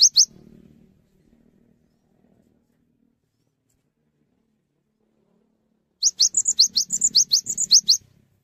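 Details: Cinereous tit singing actively and inviting other tits to join in: two sharp high notes, a long silence, then a rapid two-second burst of about fourteen bright, high chirped notes, some slightly lower and buzzier, over faint low rustling.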